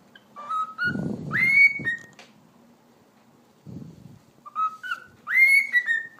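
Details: Pet cockatiel, a talking bird, giving a clear whistled phrase: stepped notes that climb to a bright rising whistle and then drop slightly, heard twice about four seconds apart, with low thumping and rustling noises between.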